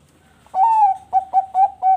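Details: Captive perkutut bangkok zebra dove from a breeder in Bekasi, Indonesia, cooing busily. One drawn, slightly wavering coo is followed by four short, rounded coo notes in quick succession, all mellow and steady in pitch.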